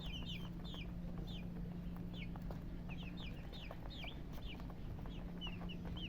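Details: A few chicks give clear, loud falling peeps, single and in pairs, spaced irregularly, with a low mechanical hum throughout.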